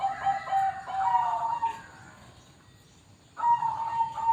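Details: Bangkok-type zebra dove (perkutut) kept at a bird farm: quick pulsed coos run into a drawn-out, even cooing note. A pause follows, then another sustained coo.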